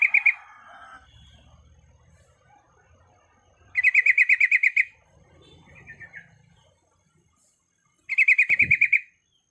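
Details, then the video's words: Female sooty-headed bulbul in breeding condition calling to males: short bursts of rapid, evenly repeated bright chattering notes, each burst about a second long, separated by pauses, with faint low rumble beneath. "Suara Alam Trucuk Gacor"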